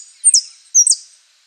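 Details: Saffron finch singing in the prio, golpe y pitada style: a pair of piercing, high, downslurred notes with short fading tails and nothing else audible.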